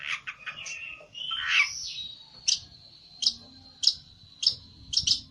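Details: Olive-backed tailorbird worked up and seeking a rival, opening with a tangled burst of twittering before settling into sharp, clipped notes repeated roughly every half second over a steady high thin tone.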